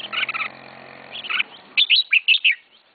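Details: Red-whiskered bulbul, a novice's first pet bird, giving a chattering phrase followed by five loud, clear whistled notes in quick succession, some slurred up and down.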